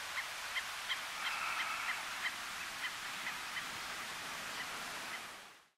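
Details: A Least Tern (Sternula antillarum antillarum) at Baitiquirí, Cuba, in August 2017 gives short, squeaky kip notes about every half second, with one longer grating note, over a steady rush of wind or surf.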